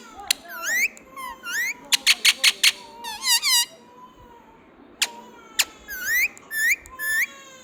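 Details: Pet Indian ringneck parrot, described as talking: a busy run of sharp clicks, rising whistled squeaks and quick chattering notes, with some low steady whistles, against faint room noise.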